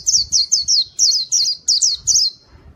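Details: Pleci white-eye in continuous gacor song for luring wild birds: a dense string of about ten very high, rapid, slurred chirps, evenly spaced and loud.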